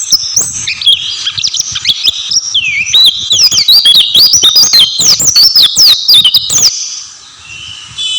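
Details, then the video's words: Oriental white-eye singing energetically: a fast, dense stream of high twittering and sliding whistles, rising and falling rapidly for about seven seconds before stopping, followed by a faint steady tone. "burung pleci gacor"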